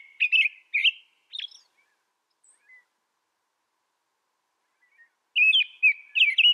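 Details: American robin recorded outdoors in North America: a few short warbled whistles, a quiet pause of several seconds, then a rapid burst of rising and falling whistled notes.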